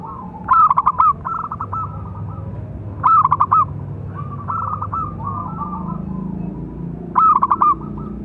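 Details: Big-voiced local zebra dove song, used as a master call to train and lure other doves: loud, stuttering, pulsed coo phrases repeat about every three seconds, with softer cooing between them and a low hum underneath.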